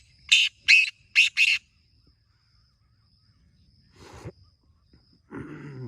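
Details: Black francolin calling in the morning in a village area; four harsh, grating bursts in quick succession, then silence and faint rustling and low noises.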